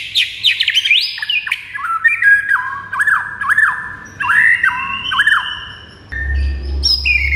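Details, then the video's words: White-rumped shama song used as a training recording: loud, varied whistled phrases, rising and falling slurred notes repeated in quick sequence, with a steady low electrical hum underneath. "MASTERAN MURAI"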